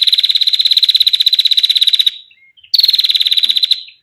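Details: Long 'ngetir' ticking from a female bar-winged prinia, intended for training songbirds or luring prinias: a two-second run of fast, high, even pulses, a short gap with a faint note, then a one-second trill.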